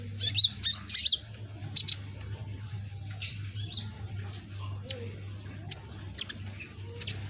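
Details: Young caged sunbird with a reddish-green back, still practising its song; scattered high, squeaky chirps and quick twittering notes in uneven clusters, with a constant low electrical hum beneath.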